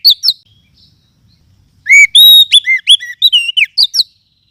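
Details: Lure sound of a wild forest oriental magpie-robin, kacer hutan, used as tutor material: a couple of quick high notes, then a dense run of bright, varied whistles and down-slurred chips lasting two seconds.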